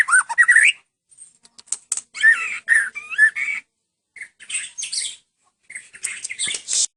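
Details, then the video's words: White-rumped shama of the long-tailed Medan type in full cililin style, giving broken bursts of bright whistles, slurred notes and high buzzy chips, separated by brief silent pauses. "kicau murai batu medan full cililin"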